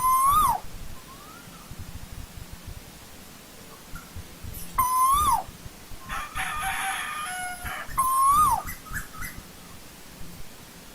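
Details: Asian koel from old-growth forest giving three rising whistled calls with falling ends, several seconds apart; between them a harsher, buzzier multi-toned burst is heard, over low rumble.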